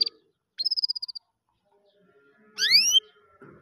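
Canary song: a rapid trill of about ten high, even notes, then a bright rising sweep with rich harmonics and a short buzzy phrase.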